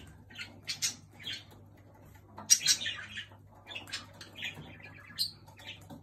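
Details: Pet jenday conure bothering a second bird at home, giving short scattered squeaky chirps and one louder rasping squawk midway, over a constant low electrical hum.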